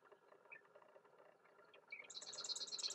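A Western grebe gives a loud, harsh, rapidly pulsed grating call in the final second, following a steady low rumble of water or wind.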